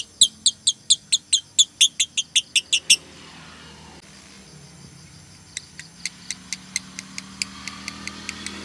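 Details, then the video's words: Rapid shrill chirps from a female lovebird, konslet 'tired tone' call used to lure or train other lovebirds. Eleven loud notes in three seconds, a pause of about two and a half seconds, then a fainter, sparser series resumes. "BETINA KONSLET (nada lelah)"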